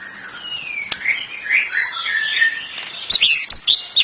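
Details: Canary singing a fast, varied run of high warbled notes, sweeping and trilling, broken by a few sharp clicks near the end.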